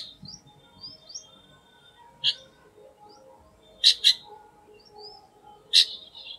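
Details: Chestnut-tailed starling giving brief, harsh high-pitched notes: a single note, a close double, then another single, spaced over several seconds, with soft thin whistles of other birds and a steady faint hum.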